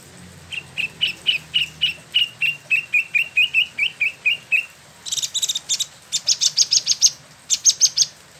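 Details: Spot-throated Babbler, locally Wambi Mini, caged in Bandung, Indonesia, performing its ngeroll rolling song: a long steady run of about twenty clipped whistled notes, then a harsher, buzzy rapid series.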